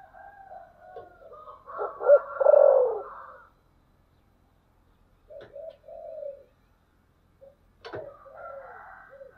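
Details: Spotted dove with a 'thổ sấm' voice, used as a lure for wild doves. A loud hoarse coo phrase opens, then after a silence, shorter low coos follow, with one sharp click.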